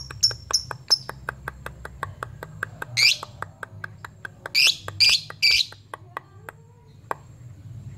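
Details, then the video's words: Ngepyak lovebird summoning a rival and used to draw out fighter lovebirds: a steady patter of dry clicks throughout, broken by four loud, grating screeches, three of them bunched together midway. "Lovebird ngepyak Memanggil"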